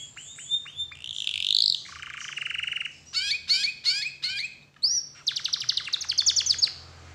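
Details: Canary song used to encourage other canaries to sing: whistled downslurs, a bright rolling trill, a low buzzy rattle, then chopped chirpy bursts and a fast repeated high note series.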